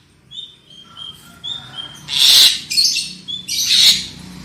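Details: Lure recording of black-winged myna song to prompt loud singing, with a series of thin high whistles followed by loud raspy screeches and a further harsh burst near the end.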